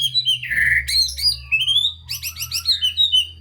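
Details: Varied white-rumped shama song played to encourage reluctant shamas to sing: a harsh buzzy note, then clear rising and falling whistles and a quick run of chattering trills, with a faint low hum behind.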